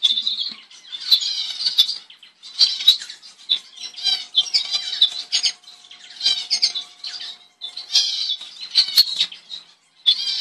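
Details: Double-barred finch, or owl finch, found in eastern and northern Australia, uttering bursts of high, wavering nasal buzzes separated by short gaps, with scattered faint clicks and rustling.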